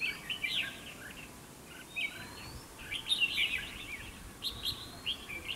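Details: Red-whiskered bulbul used to lure rivals into a trap for fighting, giving loud bubbly warbled phrases repeatedly, strongest around three seconds, over steady background hiss.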